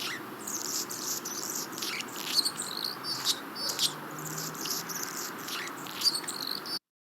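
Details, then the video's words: Anna's Hummingbird learned song, used to attract mates and defend territories, often given from a perch; scratchy squeaky buzzes and thin sputtering notes repeat irregularly over steady background hiss. "The Anna's hummingbird is a lower pitched and a lot more of a squeaky sound."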